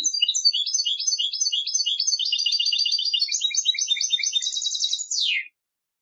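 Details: Singing-contest goldfinch pours out a continuous stretch of rapid high twitters and chirps, quickening into a dense buzzy trill before a final downward slurred note.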